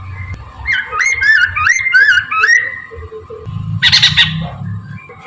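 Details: Chinese hwamei singing in the morning, recorded as a lure: a run of looping whistled notes followed by a loud harsh burst and low rumbling noise.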